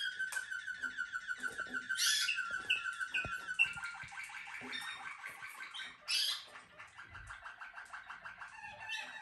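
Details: Caged Malinois Waterslager canary, bred for song, delivering a long rhythmic rolling trill that pulses about three times a second, with brief bright chirps and a sudden loud high burst midway.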